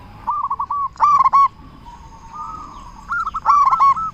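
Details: Local zebra dove calling loudly to draw other zebra doves to answer, a lure call: a series of fluttering, quavering coos in bursts near the start and end, with a softer drawn-out trill between.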